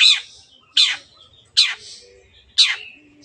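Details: Long-tailed shrike used as a training lure for caged birds: four rasping, scratchy notes falling in pitch, spaced under a second apart, with a soft low rumble behind.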